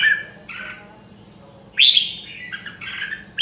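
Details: Red-whiskered bulbul of the rare Nam Đông, Huế voice line, singing during voice training: short warbled whistled phrases separated by pauses, the loudest a bright rising-then-falling phrase near the middle, then a rolling burst.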